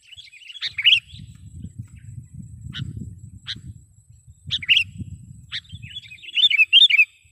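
Sooty-headed bulbul giving bright, bubbly chirps and short sharp notes in scattered bursts, ending in a lively chattering run, over a faint low rumble.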